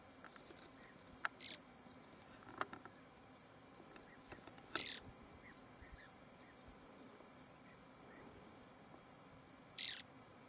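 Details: Heine's short-toed lark (Alaudala heinei pseudobaetica) singing quietly in spring in western Armenia: short, high arched chirps in quick loose runs, with scattered clicks, taps and faint background rustle.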